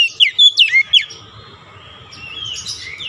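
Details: Lure song of an Oriental magpie-robin, played to rouse a stressed, silent kacer: four quick, sharp, downslurred whistles in under a second, then soft, fading warbling notes over a faint hum.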